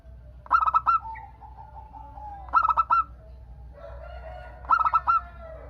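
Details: Zebra dove, a local bird, sings to draw replies from other doves: three clusters of rapid staccato cooing notes about two seconds apart, separated by softer, lower, wavering notes.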